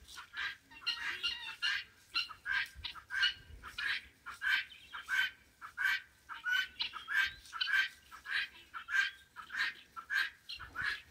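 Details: Domestic guineafowl crossing a road give harsh, grating calls, repeated in a quick chattering rhythm about every half second.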